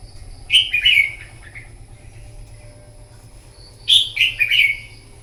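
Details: Morning competitive song of a wild-caught red-whiskered bulbul, used for voice training: two lively whistled phrases of three or four quick descending notes, separated by about three seconds of near silence with a thin steady hum.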